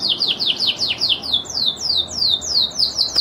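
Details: Song of a Lizard canary: a steady run of high syllables, each sweeping downward, repeated several times a second without pause.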